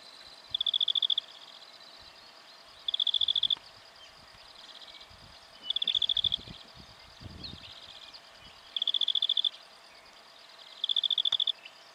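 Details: Black-fronted dotterel, Victoria, Australia, October 2011: five bursts of rapid, metallic high ticking, each under a second, spaced about two to three seconds apart, over faint rustling.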